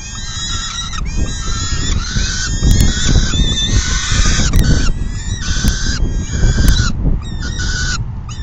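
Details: Feeding at a peregrine falcon nest on June 10, 2022, 4:08 PM: a rapid series of loud, grating, harmonic wailing calls, some with falling pitch, over a constant deep roar of wind.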